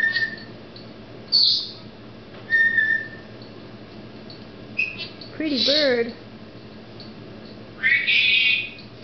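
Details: Indoor pet Senegal parrot, a female showing off her newest word, gives steady level whistles and harsh squawk bursts spaced a few seconds apart, with a person talking briefly partway through.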